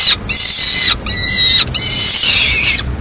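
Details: Peregrine falcon chick in Madrid, 22 May 2016, begging for food after the female takes a swift the male brought: three loud, drawn-out, harsh wailing screams, high-pitched and slightly rising, each about half a second to a second long.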